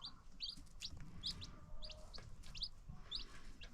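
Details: A few high, sharp peeps from new baby chicks among free-range farm chickens, spaced about every half second over low rumbling background noise.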